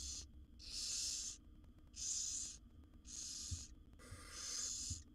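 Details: Wild barn owl chicks in a nest box, seven young fed by the mother, utter four long, harsh hissing rasps of nearly a second each in steady rhythm, with small clicks and a background hum.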